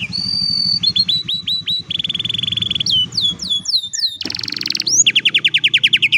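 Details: Canary singing, phone recording: high whistled notes alternate with rapid buzzy trills and looping upslurred phrases. A brief gap leads into a loud rolling trill. Low hum runs underneath.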